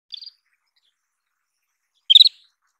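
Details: Isabelline wheatear calling: a faint short chirp, then about two seconds later a louder burst of four or five quick high notes.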